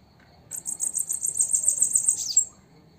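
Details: Female bananaquit singing at sunset: a very high, thin, rapid trill of fast repeated buzzy notes lasting about two seconds, then silence, against a quiet background.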